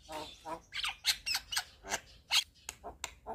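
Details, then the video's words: Javan myna in active song with head-bobbing and full filler phrases: short harsh rasping bursts separated by brief pauses, with a few sharp whistled notes. "Kicauan Jalak Kebo Gacor MAnggut - Manggut Full Isian"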